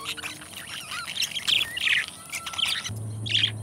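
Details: Pair of companion pet budgies chattering continuously in a busy warble of squeaky chirps and short twittering notes with a few sharper peaks. A low steady hum starts near the end.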